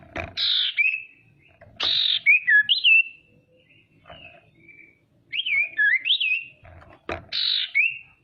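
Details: Female common iora calling to provoke rival birds: buzzy bursts each followed by looping, wavering whistled notes, repeated in several phrases, with occasional sharp knocks.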